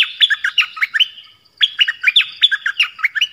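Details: Nok dok taeng bird singing a 'pleng berl' song, played so young birds learn it. Close, loud, continuous strings of fast whistled notes slide and drop in pitch, with only a short break between two phrases.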